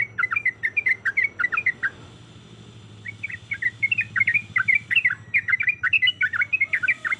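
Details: Yellow-vented bulbul female in breeding condition calling a male in 'ropelan' style: two runs of rapid bubbly chirps separated by a one-second gap, over a steady low hum.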